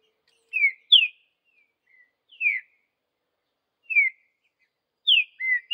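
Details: Vidigal-style song of a wild green-winged saltator in the bush: single and paired falling whistles spaced about a second apart, ending with a level whistle, in a quiet setting.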